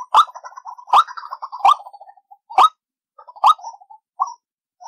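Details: Trapping lure call of the white-breasted waterhen: loud, abrupt croaks about once every 0.8 seconds, each followed by softer trailing clucks.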